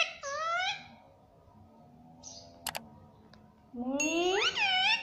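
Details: Pet parrot saying "mummy" in two harmonic utterances, a short arched one then a longer rising sweep, over a steady low background hum with a pair of clicks between.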